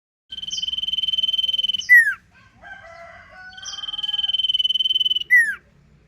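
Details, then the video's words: Sirpu singing a loud, sustained trilled note held steady for about one and a half seconds, ending in a sharp downward-sweeping whistle; a softer lower warbling phrase sits between two repeats. "suara burung sirpuh ngentir super gacor"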